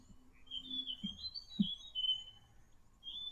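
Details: Forest Robin (also Gabon Robin) giving thin, high whistled phrases that waver and slide over a few seconds, faint low knocks and room noise beneath; a territorial call a male gives to attract another male or defend territory.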